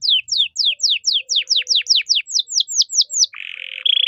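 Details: Canary with 'cengkok mewah' song for tutoring young songbirds: about fifteen clear downward-swooping whistles delivered steadily around four per second, then a harsh buzzy note and a short higher buzz.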